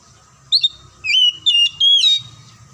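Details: Oriental magpie-robin song used to prompt silent or lazy magpie-robins to sing: loud clear whistled phrases, sliding and rising notes in separate bursts with short pauses, over a faint steady hum.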